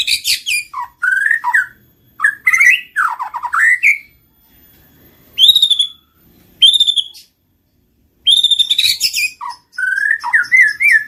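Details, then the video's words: White-rumped shama song meant to provoke singing and mating: bursts of chattering and rattling notes, isolated clear whistled phrases, and a final run of rising chirps, separated by silences. "PANCINGAN BURUNG MURAI BATU MACET BUNYI SEKALI PUTAR LANGSUNG NYAUT BUNYI"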